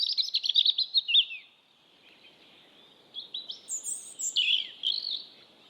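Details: Robin singing in the wild: a high, fast warbling phrase of tumbling, chattering notes, a short silence, then a second sweeter phrase of slurred whistles and thin high trills.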